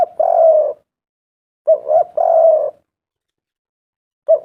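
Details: Spotted dove calling as a lure to prompt other doves to call: deep, soft hooting coos, a short note followed by a longer drawn-out one, repeated after a pause, in a quiet setting.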